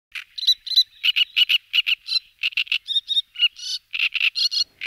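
Great reed warbler song: a loud, harsh, croaking chatter of grating notes repeated rapidly, broken by a few higher squeaky phrases.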